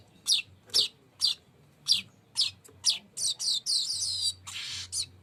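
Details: Weaver singing toward its rolling song: sharp high chips spaced about half a second apart, speeding into rapid doubled notes and a brief buzzy rattle near the end.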